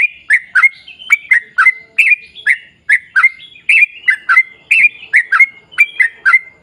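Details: Yellow-vented bulbul giving its long 'ropel panjang' song as a lure for fellow bulbuls, with sharp twangy chirps often in doublets, a few higher whistled slurs, and steady repetition throughout.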